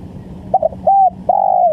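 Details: A single spotted dove phrase from a trapping lure: a quick stuttered opening, a clean level coo, then a long purring coo that slides downward, with low hum underneath.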